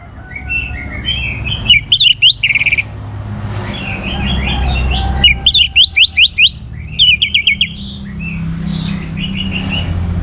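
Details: Orange-headed thrush song intended to provoke other birds to sing: varied phrases of whistles and fast, rising chattering notes, alternating with softer warbling over a low rumbling hum.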